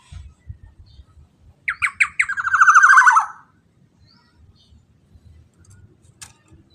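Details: Black-naped oriole singing to provoke other orioles into calling: a quick set of loud, clipped notes leading into a dense, rasping, descending rapid series lasting about a second and a half, then quiet with faint background knocks.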